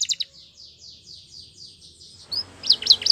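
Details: Belgian canary singing a training song: a quick run of about eight high, descending, slurred notes, then a pause and three louder, sharp, rising-and-falling notes at the end.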